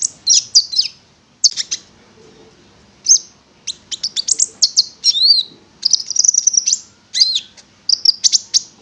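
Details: Konin, a prinia, in sustained song meant to lure other birds into singing: high, rapid chattering trills in bursts separated by short gaps, with a few looping whistled notes among them.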